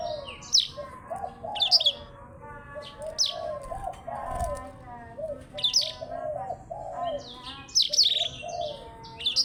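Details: Black-throated canary (Crithagra atrogularis) song: rapid, high, sharp chirps and trills in bursts, over a steady run of lower, looping warbled notes from other caged birds.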